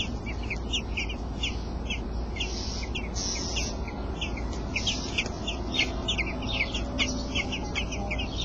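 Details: Nest of robin chicks, eight days old, fed by their father; many sharp, high squeaky notes repeat rapidly in an uneven stream, with occasional hissy bursts, over a steady low rumble.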